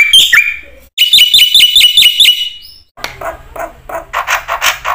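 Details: Black-winged myna lure song for training other mynas: a short burst, then fast ringing metallic chatter, followed by softer, lower, rougher calls from another bird.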